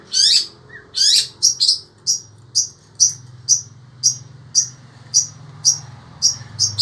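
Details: A caged sembur-type long-tailed shrike from Indonesia keeps singing despite the heat; two rich chattered bursts open, then a single sharp high note repeats roughly every half second, with a low hum in the background.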